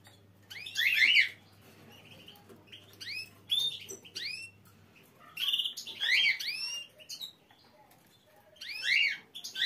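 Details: A canary with a nest sings short, bright bursts of rapid trills and chirps roughly every two to three seconds, high-pitched and sweet, with quiet pauses between phrases.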